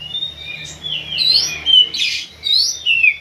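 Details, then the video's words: Oriental magpie-robin singing during pacingan, a fast run of slurred high whistles and chattering notes with a loud rasping burst near the middle, continuous and varied throughout. "pacingan kacer bikin emosi"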